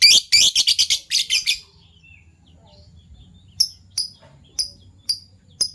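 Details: Fischer's lovebirds of PB violet and euwing gold opaline colours, heard in the morning: a quick burst of loud harsh high chirps, a pause, then single sharp chirps repeated about every half second.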